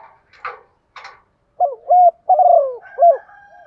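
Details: Female spotted dove calling to stimulate males. Two short scratchy noises open, then a run of low mellow coos in a halting, uneven phrase, with a steady faint tone underneath near the end.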